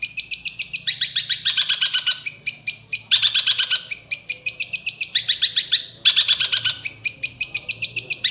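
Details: Greater green leafbird singing rough, densely packed 'tembakan' phrases: continuous high, sharp, chattering notes in quick bursts, with short dips and restarts every second or two throughout.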